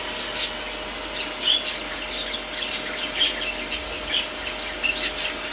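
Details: Rosy Bourke's parakeets bathing, a rare event for them, give soft, high chirps at irregular intervals, several every second or so, mixed with light splashing clicks.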